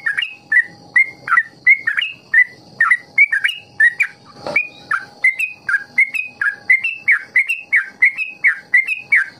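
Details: Yellow-vented bulbul (trucuk) singing in the ropel style, a recording meant to lure young birds into learning long ropel song: rapid run of clear whistled, slurred notes, rising and falling, about three to four per second without a break.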